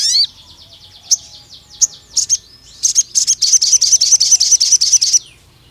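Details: Pied fantail lure recording: quick descending twittered notes, a few spaced high chirps, then a long, fast, evenly repeated string of bright high-pitched notes for over two seconds.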